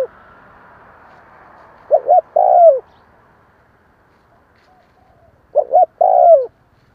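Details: Spotted dove giving two cooing phrases a few seconds apart, each a quick pair of short notes and then a drawn-out, softly falling coo, with little else heard.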